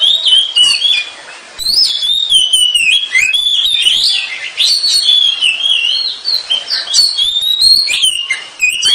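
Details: Kacer, the Oriental magpie-robin, as training song: a short opening phrase, a brief lull, then a long flowing string of bright whistles, slurs and clipped chirps.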